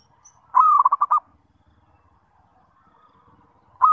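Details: Zebra dove calling as a lure to make other zebra doves answer and sing: a short, rapid run of about six pulsed, mid-pitched coos, then a quiet pause before another phrase begins.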